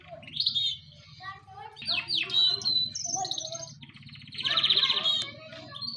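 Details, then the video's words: Pet birds chattering with buzzy high trills and sweeping chirps over a steady low hum. "Amazing Birds sounds"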